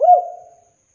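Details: Spotted dove lure call meant to start a dove singing: a single short, hollow coo with a quick rise and a fading tail, lasting under a second, on silence.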